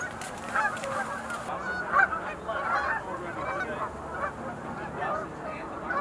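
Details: Sandhill crane flock at the Montezuma National Wildlife Refuge Visitor Center pool, 20 November 2021: continuous overlapping rattling bugles, a brief hiss at the start and one louder call near two seconds.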